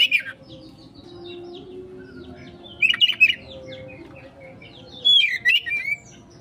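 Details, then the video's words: Oriental magpie-robin in konslet song as a lure: a brief whistle at the start, then two separated bursts of rapid twittering, descending whistled notes over a faint low hum. "Pancingan Burung Kacer konslet,respon cepat...!"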